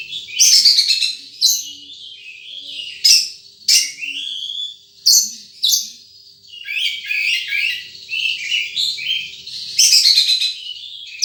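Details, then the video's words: Wild sunbird giving a lively run of sharp, high chirps and short descending notes in quick bursts, interspersed with twittering phrases and brief pauses. "Suara Burung Madu liar"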